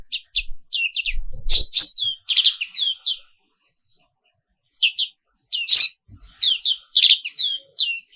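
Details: Black-capped white-eye, Pleci Papua Wiklus, singing in the morning: clusters of quick high slurred chirps, two loud piercing notes, separated by a pause of about one and a half seconds.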